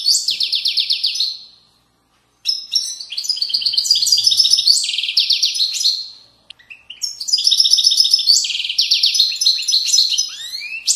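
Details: Moroccan widani-style singing by a European goldfinch, 2020: long phrases of rapid buzzy trills and bright twitters, broken by two short silences, ending in a rising slurred note.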